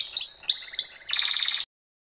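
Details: Three bright upswept whistled canary notes followed by a quick pulsed trill that stops abruptly into silence; bird is a Gloster or Yorkshire canary.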